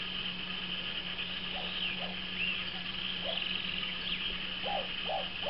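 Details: A courting pair of moustached turcas gives a scattered series of low, hollow hooted notes, some doubled, through the second half, against a constant high insect whine and a low steady hum.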